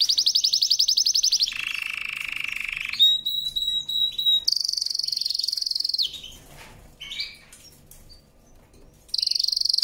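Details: Canary singing a powerful training song: fast buzzy trills near the top of the range, a lower rolling trill, then metallic notes, a long steady high trill and a brief quiet pause before trilling resumes.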